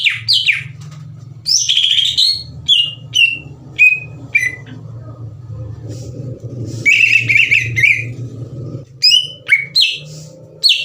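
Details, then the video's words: Greater green leafbird in full song, a lure meant to excite other leafbirds: separate high whistled phrases, some falling and some buzzy, broken by short pauses, then a rapid trilled passage, with a low hum throughout. "PANCINGAN CUCAK IJO GACOR CEPAT MENAIKAN EMOSI CUCAK IJO LAIN"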